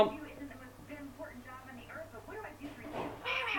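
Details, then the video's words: Parrot talking inside a small room, repeating words such as "Mom" and "bye-bye" in a short, speech-like stream of wavering tones that ends in a harsher burst. "Parrot shouts Mom, hello, Bye Bye and making crazy sounds"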